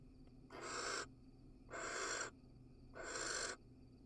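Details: Three rasping, drawn-out barn owl hisses, each roughly half a second, spaced about 1.2 seconds apart, from a nest box in Israel during a male's pellet casting; low electrical hum underneath.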